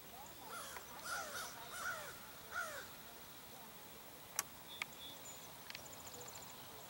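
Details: An American crow in Fort Erie on 19 March 2021 gives three harsh, nasal caws, about one every 0.7 seconds, then quiet background with a couple of sharp clicks.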